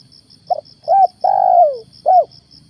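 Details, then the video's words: Spotted dove used as a decoy during a morning hunt for wild doves gives a four-note phrase: brief coo, arched coo, long descending croon, closing coo, over constant faint high pulsing. "PEMIKAT TEKUKUR/DERKUKU/DENAK DI TURUNIN TEKUKUR GAGAP"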